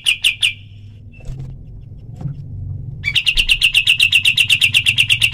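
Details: Black-winged flycatcher-shrike, rapid-fire 'tembakan' calling recorded to train other birds. Three sharp notes open, low rumbling background noise follows, then a quick, even stream of high chipping notes begins.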